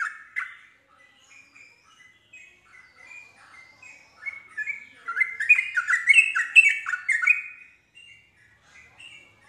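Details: Yellow-vented bulbul singing to coax another bulbul into joining in. Soft sparse chirps build to a dense, loud cascade of bubbly descending notes midway, then fade back to scattered quiet chirps.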